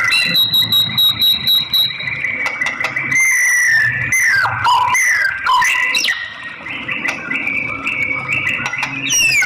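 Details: White-rumped shama, said to be a female calling to stimulate a male to sing; varied whistles, sharp rising and falling sweeps and rapid clicking notes, delivered in a dense, continuous run.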